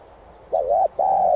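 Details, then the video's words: Spotted dove cooing to stimulate and train decoy birds, one phrase: a quick wavering double note then a sustained, even, slightly descending coo, loud and clean against a quiet background. "Cu gáy THÚC giọng sát bổi kích mồi tập bổi rất hiệu quả/chim cu đất gáy kích bổi,mồi nhanh gáy"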